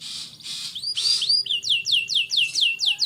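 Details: Canary in full song, used to stimulate young canaries to start singing; a rapid series of bright downslurred whistles repeated about twice a second after a few harsher, broader opening notes.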